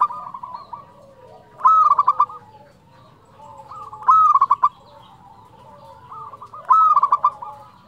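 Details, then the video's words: Singing local zebra dove with a fluting 'nyuling' voice: three loud phrases opening on a clear whistled note that breaks into rapid stammering coos, repeated about every two and a half seconds over faint background cooing. "perkutut lokal gacor suara nyuling"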